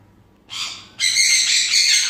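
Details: A pair of grey parrots kept at home: a short harsh, noisy squawk, then a longer rasping screech with broad hissy energy, about two seconds in all, in a quiet room.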